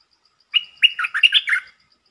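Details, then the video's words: Short lure song of a red-whiskered bulbul that opens fast: a held whistled note, then a tumbling series of five or six mellow, bubbly syllables, with a faint, steady ticking behind. "Suara pikat merbah lekir"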